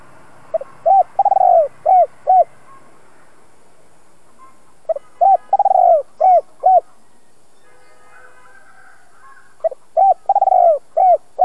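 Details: Spotted dove, a decoy bird with a two-ending 'giọng đồng' voice, cooing to stir and train other decoy birds. Three soft low coo phrases about four seconds apart, each with short notes, a longer drawn coo, then two clipped endings.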